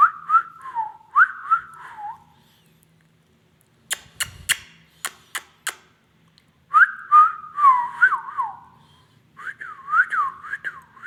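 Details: Indian ringneck parrot whistles rolling slurred phrases, pauses while a series of loud sharp clicks sounds, then returns with a longer whistled tune and a run of looping up-and-down whistles.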